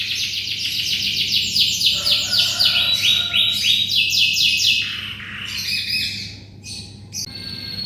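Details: Vigorous song of a canary, used as tutoring for white-rumped shamas. Rapid repeated rolling trills run about four times a second, then change to looser chirped phrases near the end.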